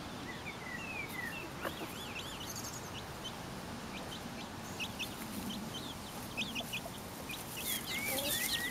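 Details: Four-week-old Pekin bantam chicks foraging in a garden with their silver laced Wyandotte mother; many short high peeps, some sliding down and some up, come in quick uneven runs over steady outdoor background hiss.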